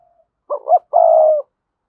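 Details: Decoy spotted dove with a strong 'thúc' voice. A single phrase starts with a faint lead note, then a bouncy double note, then a loud steady coo lasting about half a second. Nothing else is heard.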